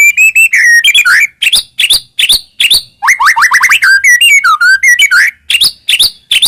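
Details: Varied white-rumped shama song used to prompt other shamas: fluty warbled whistles sliding up and down, mixed with sharp clicks and quick chattering notes, continuing almost without pause.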